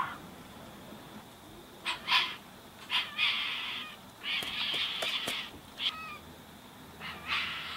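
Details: Young tawny frogmouth chick being fed by a single parent in a back yard in Greensborough, Melbourne, January 2017; harsh, raspy bursts come in irregular clusters over several seconds, some short and sharp, others drawn out and noisy, over faint background hiss.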